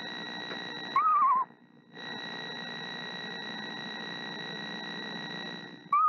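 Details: Incubating mother screech owl singing gently to her eggs around March 28th: a brief quavering trill that slides downward, then another starting at the very end, against constant electrical hum and background hiss.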